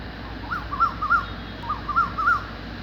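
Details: Cuckoo calling after dark in the evening, two bursts of three clear, wavy whistled notes, each burst rising and falling, separated by a short pause over a low background hum.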